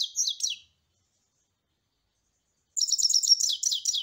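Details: Goldfinch song: a short scrap of twittering notes, then silence, then a longer phrase of rapid tinkling chirps and buzzy trills, bright and high throughout.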